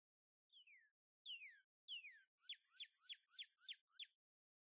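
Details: Cardinal pair singing at a feeder: three clear whistles slurring downward, then six quick, evenly spaced upswept notes, each paired with a soft lower note. The background is clean.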